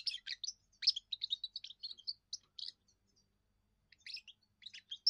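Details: First song of a young European goldfinch, used to claim territory and impress females: continuous rapid twittering of high, tinkling chirps and trills, briefly pausing before more quick liquid notes resume.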